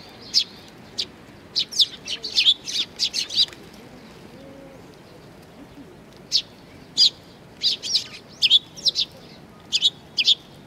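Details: Several young sparrows crowd around food at Tenmangu in Nakanoshima on 25 May 2020. Rapid high chirps come in dense runs, then a quiet gap before further scattered and clustered chirping. Soft low ambient hum underneath.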